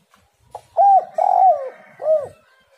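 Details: Lure recording of a spotted dove meant to set other doves singing. A soft introductory note leads into two long, rounded coos and a closing falling coo, with a light hiss behind.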